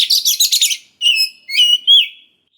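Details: Oriental magpie-robin lure song aimed at young forest birds. A quick series of harsh, scratchy chattering notes is followed by three clear whistled phrases, the last gently rising and falling.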